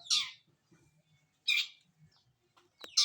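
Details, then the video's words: Harsh rasping notes from a long-tailed shrike bathing in the morning, two loud bursts about one and a half seconds apart, a third starting at the end, with faint soft sounds in the quiet gaps. "Mandi pagi!Burung Cendet"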